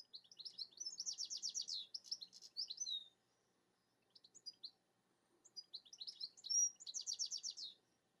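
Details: Twittering song of a European goldfinch perched atop a rowan tree, opening with a long run of bright, fast chattering trills, then a brief quiet gap, a few soft notes, and another twittering burst ending in a buzzy trill.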